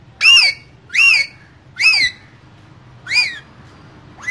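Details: Two green parrots in a cage give four harsh, arched squawks, roughly one per second, each rich and ringing with a brief pause between, over a faint low hum.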